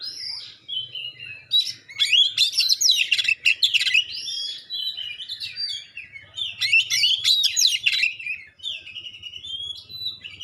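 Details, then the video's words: Magpie-robin's sharp, clear provoking song aimed at other magpie-robins: two long, dense runs of quick chirps, rasps and looping whistles, with a faint low rumble in the background. "suara tembakan tajam juga suara jernih bikin kacer lain langsung respon ngobra"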